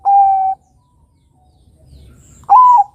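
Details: Young Bangkok-type zebra dove (perkutut) giving two clear, hollow coos: a steady held note, then after two seconds a second coo that lifts and levels off, over a quiet hum; used to prompt other doves to sing.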